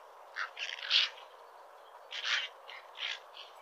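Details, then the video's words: A cattle egret gives harsh, raspy croaks in two clusters of short bursts over a steady low background hiss. "CATTLE EGRET BIRD|SOUND/ CALL"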